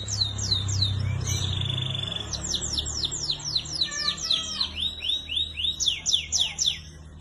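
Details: Young canaries sing a tutor song of rapid falling whistles, a brief flat note, then long runs of repeated downward sweeps, with low rumble early on.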